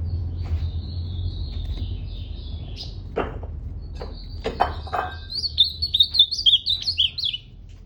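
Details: Faint thin whistles and a few clicks give way to a loud, rapid ultramarine grosbeak song: a two-second run of looping, slurred high notes near the end.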